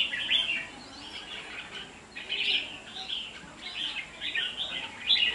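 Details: Caged red-whiskered bulbul at a singing match delivers repeated short chirping, whistled phrases about every second, in a quiet background.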